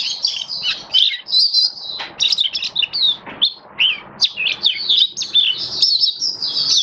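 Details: Oriental white-eye (Mata Puteh Kitaro) kept as a caged hobby bird, singing on 27 October 2022: rapid high chattering warble of thin slurred chirps and squeaky downward whistles, with faint background rustling.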